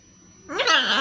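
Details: Talkative pet blue-and-yellow macaw indoors: a harsh, harmonic, voice-like utterance about half a second long, rising then falling, with a person's Polish speech just before and after.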